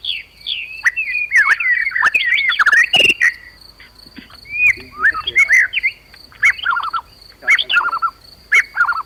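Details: Agitated murai batu (white-rumped shama) song, used as a provoking call to rouse listless birds. Rich warbled phrases at the start are followed by pauses, then paired downslurred whistled notes repeat several times. A faint high hum continues throughout.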